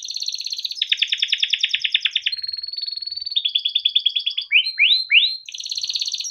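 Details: Timbrado canary song for training: dense rattling rolls of fast repeated notes, a steady level whistle, more pulsed trills, then three looping upswept notes before a final roll.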